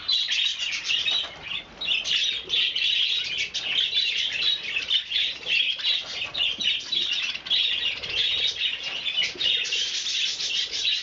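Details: Group of budgerigars at breakfast time, 30 January 2011, chattering nonstop: a busy mix of squawky and warbled notes with brief dips, then rising again into louder scratchy chirping.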